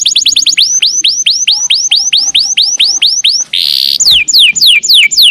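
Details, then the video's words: Canary singing long 'nembak' phrases as a tutor for murai birds: a run of loud whistled notes sweeping sharply downward, repeated about three times a second, broken by a brief harsh buzz, then more falling whistles. "Suara burung kenari nembak panjang/cocok buat masteran MURAY"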